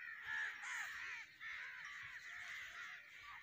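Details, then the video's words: A crowd of crows at their roost keeps up a shrill, rasping chorus of overlapping caws, steady with brief dips in volume. "Crow black bird roost shrill"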